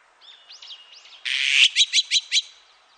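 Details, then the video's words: Azure-winged magpie from a 2020 National Institute of Biological Resources recording: several soft whistled up-and-down notes lead into a loud harsh rasp and four fast scratchy chattering notes. "물까치, 여러번 듣기, 곤충소리, 새소리"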